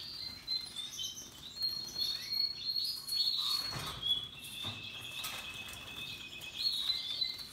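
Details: Russian yellow and Timbrado canaries singing happily with other birds: a busy stream of high chirps, warbles and sustained trilled passages, several voices overlapping, with brief soft clicks in the middle.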